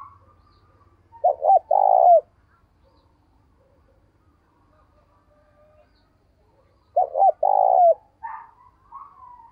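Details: Morning call of a decoy spotted dove luring wild doves: two phrases about six seconds apart, each a pair of quick short notes then a long sustained coo, with faint chirps from another bird near the end.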